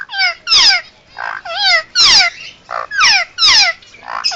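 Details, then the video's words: Captive Indian ringneck parakeet, emergency sounds: loud raspy squawks sliding downward, alternating with lower muffled grunting notes, repeated in a rough rhythm. "Indian Ringneck making Emergency Sounds"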